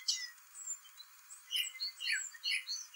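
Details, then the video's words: Song thrush singing its complicated song in spring; quieter, scattered high whistled and chirping phrases with gaps between them, all above the low range, with faint background hiss. "Song thrush sings spring birdsong"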